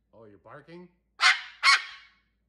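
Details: Pet cockatoo, sitting on a chair with its owner, imitates a dog's bark: after a few spoken words come two harsh, loud, broadband barking bursts in quick succession.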